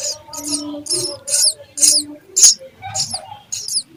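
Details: Sparrow nestlings begging during feeding: sharp, high, scratchy chirps about twice a second. A faint low hum and soft tonal notes sit underneath.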